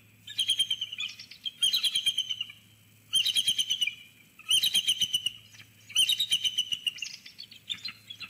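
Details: Pair of eagles perched together in a snag tree at Sauces Canyon on 17 February 2020 share high, thin chittering calls in bursts of rapid piping notes, about one per second and a half, some dropping in pitch.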